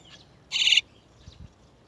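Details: A single short, harsh, buzzy rasp from a chestnut-tailed starling as parent birds lead chicks from the nest, with faint soft chirps before and after in a quiet setting.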